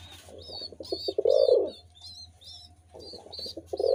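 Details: Pigeon cooing starting with a quick stuttering run of pulses that swells into a long mellow coo, a quiet pause, then another stuttered phrase; small birds chirp high and steadily throughout.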